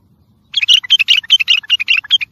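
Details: Bulbul song of the style called tayyariyat sayhan, played for training and motivating birds: after half a second of quiet, a rapid burst of about a dozen bright, warbled notes rising and falling, close and clear.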